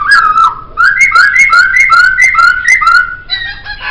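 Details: Song of a laughingthrush on a training track: a string of bright, slurred whistles, each sliding up then down, repeated about twice a second, ending in a short burst of harsher notes.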